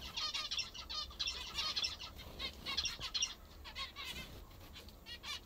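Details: Several zebra finches in captivity eat what they enjoy most, calling in loud nasal beeps grouped in rapid bursts of two to four, with short gaps, from more than one bird.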